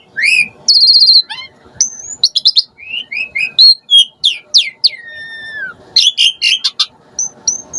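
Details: Asian pied starling vocalizing as a lure for starlings to sing fully; a varied jumble of whistles, clicks, chirps, a long slowly falling whistle and short buzzy bursts, with faint low hum.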